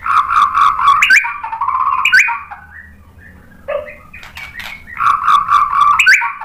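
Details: White-rumped shama lure song meant to stir another bird to answer: dense, harsh chattering bursts mixed with whistled notes, in two loud stretches around a quieter middle.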